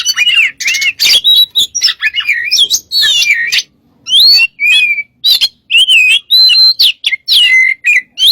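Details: Master or lure recording of white-rumped shama song, with loud, varied phrases of looping whistles, rising and falling slurs and scratchy notes, delivered in quick bursts with one short pause near the middle.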